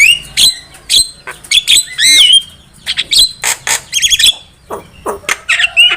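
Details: Javan myna (jalak kebo) song used as a trapping lure: a loud, varied run of sharp whistles, rising and falling slurred notes and harsh chattering bursts, delivered in quick separate phrases with brief gaps.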